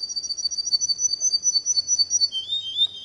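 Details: Singing canary delivering a rapid high trill of repeated chirps that suddenly drops into a lower, smoother whistled phrase near the end.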